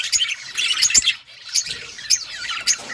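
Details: Outdoor colony of budgerigars, sparser here: clusters of quick, bright chirps and short squeaky twitters come in separate bursts with brief quieter moments between them.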